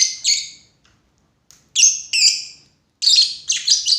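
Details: Lovebird giving harsh, squeaky chirps in three bursts, each a rapid cluster of grating high notes separated by short pauses, with nothing else clearly heard.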